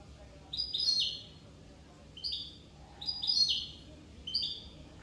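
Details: Corsican European goldfinch giving short, high twittering phrases, each a quick cluster of liquid tinkling notes, repeated roughly once a second with brief quiet gaps.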